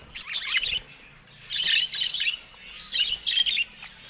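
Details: Budgerigars kept in a cage, going at a camera: three bursts of rapid, scratchy twittering warble about a second apart, separated by near-silent pauses.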